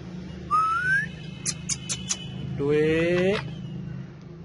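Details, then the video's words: Pet male rose-ringed parakeet, a tame talking bird, with a smooth rising whistle, then a short run of sharp clicks and a buzzy, voice-like harmonic phrase that climbs slightly, over a low indoor hum. "Cute Talkative Parrots Speaking And Dancing So Lovely"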